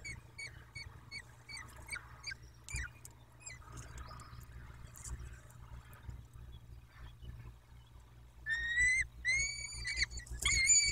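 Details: Peregrine falcons at the nest in Dobra, recorded 14-05-21 at 14.18: a series of short rising harmonic notes, about one every two seconds, then longer drawn-out cries near the end over a steady low hum.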